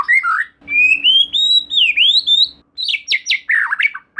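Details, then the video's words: White-rumped shama singing as a lure to prompt another shama to sing, with a long bright whistle rising and dipping, then sharp high notes and rapid slurred phrases, over a faint low hum. "Silahkan Coba Video Pancingan Murai Batu Gacor Ini, Murai Bahan Pasti Bunyi || Voice of Murai Batu"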